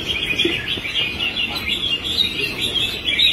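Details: Red-whiskered bulbul, a trained songbird, giving a rapid run of bright, warbling chirps, steady and high-pitched, with other birds chattering faintly behind it.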